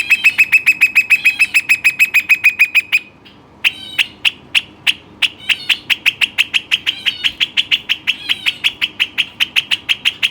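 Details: Western rock nuthatch kept as a pet bird; a long rapid series of sharp, ringing notes, about three per second, briefly pausing after three seconds, then resuming slightly faster and more varied.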